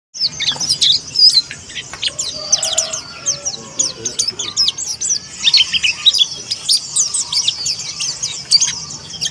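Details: Indonesian white-eye, a young bird of the white-breasted Monty type learning to open its beak and sing, giving dense bursts of high, thin chirps and quick twittering notes that overlap almost continuously, with faint lower sounds beneath.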